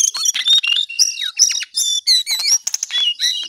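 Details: Lively song of a lesser shortwing (cingcoang coklat): rapid, unbroken bursts of high chattering and bright whistled slurs, loud and close throughout.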